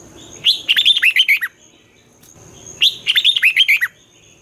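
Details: Twisting-style 'giọng xoắn' morning song of a red-whiskered bulbul, used as a lure to train young birds: two lively phrases of roughly eight quick, looping whistled notes separated by about a second of silence.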